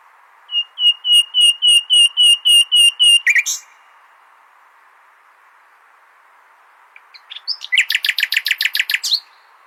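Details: Nightingale song meant for training goldfinches: a steady series of about ten loud, evenly repeated whistled notes, a pause, then a fast rattling trill of rapid repeated notes.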